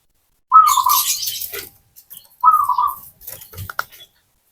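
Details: Zebra dove cooing: two rolling, slightly descending coo phrases about two seconds apart, followed by faint scratchy rustling and soft clicks.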